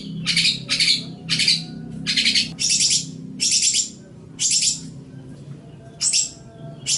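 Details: Long-tailed shrike in a recording used to train other songbirds: loud, rasping, noisy bursts repeated roughly every half second to second, with short pauses between them and a faint low hum beneath.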